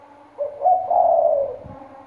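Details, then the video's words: Spotted dove, a decoy bird from Trà Vinh with a deep "thổ sấm" voice, gives a deep, loud, drawn-out mellow coo that swells then fades over about a second, with faint background rumble. "Cu gáy mồi giọng thổ sấm, lớn tiếng"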